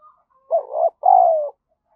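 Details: Single cooing phrase from a spotted dove calling as a lure: a wavering, buzzy first note, a brief pause, then a longer, steady, gently falling coo.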